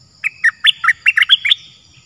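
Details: Cream-vented bulbul in the wild, reacting to a decoy bird without landing on the trap, said to be a likely escaped bird. It delivers a rapid, jumbled run of about ten warbling, gurgling notes, loud and clear.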